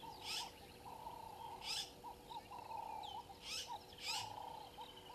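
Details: Woodland kingfisher in a tree by the dam wall at Gowrie dam, Djuma Game Reserve, Sabi Sand, South Africa, at 07:56 on 01/03/22, gives short, high, rattling bursts every second or two over a steady chorus of other birds or frogs.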